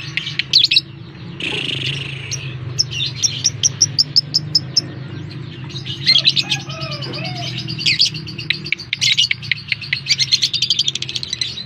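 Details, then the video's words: Lovebird lure call used to provoke a response from other lovebirds: busy, high-pitched chattering with rapid clicking note series and a few short whistled slurs, over a constant low background hum. "Suara pancingan burung lovebird, dalam 30 detik lovebird anda pasti respon."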